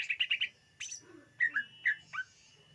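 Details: Greater green leafbird singing as a lure: four quick bright chirps, a sharp high note, then clear downslurred whistles repeated in pairs.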